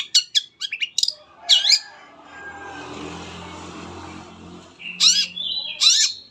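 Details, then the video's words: Long-tailed shrike lure song for setting other shrikes off singing: sharp chips and a harsh swooping note, then nearly three seconds of low background hiss, followed by two loud rasping calls with a short whistle. "PANCINGAN CENDET APAPUN CEPAT BUNYI"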